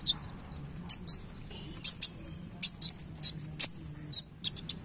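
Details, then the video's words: Sunbird (kolibri wulung) flicking its tail and giving scattered, very high, thin chips, some in quick doubles or triples, spaced irregularly across several seconds with quiet gaps between. "KOLIBRI WULUNG GACOR Main Ekor"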